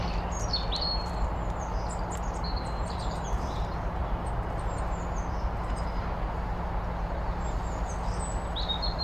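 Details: Eurasian blue tit in Staffordshire, UK, April 2025, giving thin, high chirps and short sliding notes in quick bursts at the start and end, over a steady low rumble and hum.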